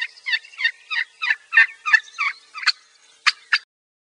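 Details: Wild turkey assembly call: a run of about ten raspy, yelping notes, roughly three per second, steady at first then spaced more widely toward the end, clean with no other sounds.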